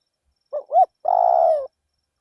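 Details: Spotted dove decoy singing in a paddy field. A short note and a rising-falling note, followed by a long purred coo with a rough, trembling texture. Nothing else is clearly audible.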